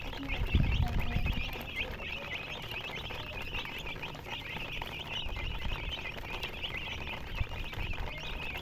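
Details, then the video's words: Chicks keep up a steady stream of high overlapping peeps while louder low bumps and handling noise break in near the start. "MURGI Baby "Chicks Chirping" Sound"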